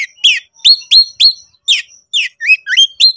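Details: Oriental magpie-robin, a kacer in a highly agitated konslet style, singing to call a rival to fight: loud, sharp whistled notes sweeping down and up, given in quick bursts of about three or four a second with short gaps between.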